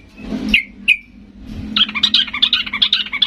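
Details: Agitated yellow-vented bulbul song aimed at making other bulbuls answer: two isolated sharp notes, a pause, then a dense fast chatter of bubbly bright notes to the end, over a low background hum.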